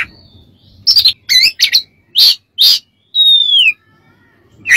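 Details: Oriental magpie-robin (kacer) master song for training birds: rapid twisting chirps and buzzy notes, then a long clear whistle that slides downward.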